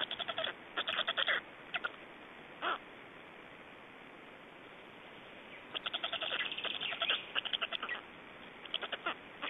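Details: Black storks in Estonia during feeding and a changeover on 25 May 2012; clustered bursts of fast rasping pulses separated by a quiet gap of about three seconds, over soft steady hiss.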